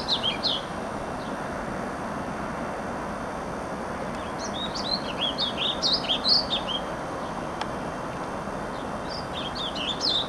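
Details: Warbling vireo, recently arrived on May 16, sings on territory in riparian habitat along the Clark Fork River, Missoula, Montana: a fast, rambling warble of high, slurred notes with a longer mid-phrase, over steady rushing background noise.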